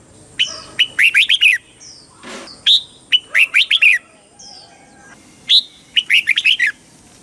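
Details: Red-whiskered bulbul song in the southern master-pattern style, played to rouse caged birds and teach young ones: bright whistled phrases of five or six quick, looping notes, each opened by a higher slurred whistle, repeated three times.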